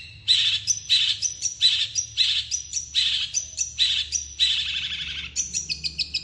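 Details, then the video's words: Fast, dense long-tailed shrike song to lure other shrikes to answer: repeated harsh, scratchy notes, each followed by a thin high whistle, about every three-quarters of a second, closing on a quicker chirping run. "Cendet gacor speed rapat ampuh untuk memancing cendet lain langsung nyaut"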